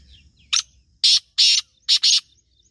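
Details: Black francolin, a Sindhi bird, calling with five harsh, scratchy, broad-toned syllables in an uneven rhythm, the last two run close together, over a quiet background.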